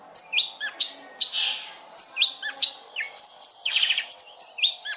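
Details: Long-tailed shrike song meant to provoke other birds into singing: sharp downslurred whistles and chips in short groups, separated by brief noisy rasps.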